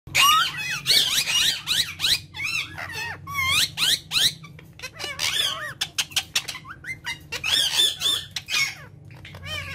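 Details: Three pet ringneck parrots chattering in a small room: dense run of squeaky, harmonic, wavering notes and rapid high chirps, with brief pauses between bursts.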